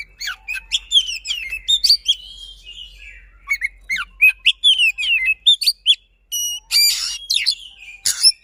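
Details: Oriental magpie-robin (kacer) used as a lure to stir silent magpie-robins into singing, delivering a fast, dense song of rolls and forceful shots: sharp whistled notes and rising slurs, with bursts of buzzy, scratchy phrases near the end.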